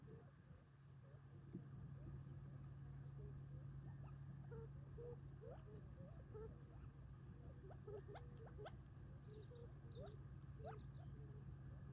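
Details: Gambel's quail eating a favorite treat on a property near Tularosa Creek, July 2021, at evening before retreating for the night; scattered soft low chips and quick sweeps, with steady cricket pulses and a low hum behind.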